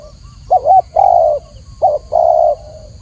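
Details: Spotted dove cooing clearly: two phrases, each a quick double hooting note followed by a longer, throaty level coo, soft low hum in the background.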